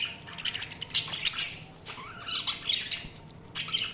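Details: Several budgerigars chirp and warble together, giving scratchy squawks and a few rising whistled notes amid steady chatter.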